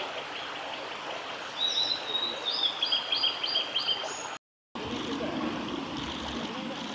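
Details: A male Japanese paradise flycatcher sings a quick run of bright, repeated whistled notes lasting under three seconds, over a steady rush of stream water; Oiso, Kanagawa, Japan, 20 June 2020.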